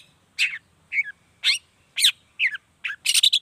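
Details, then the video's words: Long-tailed shrike song used to provoke other shrikes into calling; spaced, slurred chattering notes about every half second, ending in a quick rattled burst of high rasping notes. "Suara Cendet Gacor Pagi Siang Sore Biangnya Bikin Cendet Manapun Nyaut Emosi Ikutan Bunyi"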